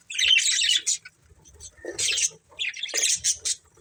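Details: Budgies in a family group give three clusters of shrill, rasping chirps, the middle burst sliding lower, with quiet gaps between.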